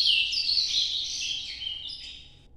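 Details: Short excerpt of an ultramarine grosbeak's Nordeste-style 'noturno' song: a loud, high, tumbling warble that gradually weakens and ends abruptly after about two and a half seconds.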